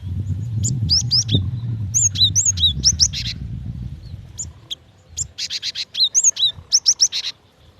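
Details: Female cinereous tit calling the male, used as a lure: rapid runs of high upslurred chirps, about four a second, ending in a clean series of sharp notes once the low background rumble fades.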